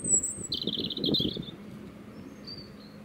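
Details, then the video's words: Robin song heard as it answers another bird across a field: a high whistled note, then a rapid, jumbled, twittering warble, and after a pause a fainter thin high phrase, over low rumbling background. "Singing Robins"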